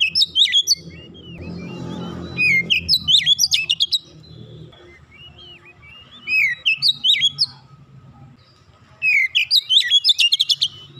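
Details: Oriental magpie-robin delivering repeated bursts of rapid whistled and ticking notes, each lasting about a second and a half, separated by gaps; a soft rushing noise appears briefly early on.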